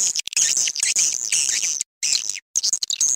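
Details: Swiftlets in a crafted call recording used by swiftlet farmers to attract birds; dense high twittering chirps pour out almost continuously, broken by two brief silent gaps.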